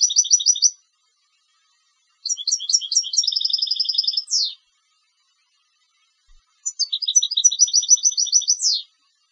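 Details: European goldfinch bred for song competitions delivering clean, repeated phrases: tinkling twitters leading into fast even trills and a sharp descending slur, three bursts separated by silent gaps of about two seconds.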